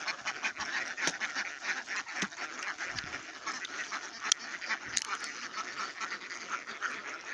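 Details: In Gia Lai, Vietnam, wild ducks give a steady run of harsh, nasal quacks, several a second and overlapping like a flock calling together, with no other clear sounds.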